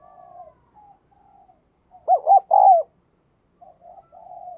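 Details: Soft background cooing, then a clear spotted dove phrase midway: two quick throbbing notes and a longer coo falling away. More quiet coos close the recording.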